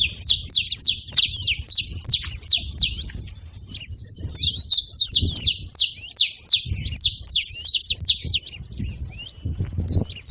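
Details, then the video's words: Saffron finch calling noisily, delivering quick high sharp chips in uneven bursts, roughly three per second, with short pauses between runs and faint low rumble underneath. "Canário da terra fazendo barulho"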